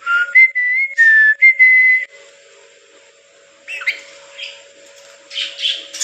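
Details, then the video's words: Pet talking lorikeet parrot giving a quick run of clear whistled, word-like notes in the first two seconds, then softer scratchy chatter, over a faint steady hum. "lorikeet parrot"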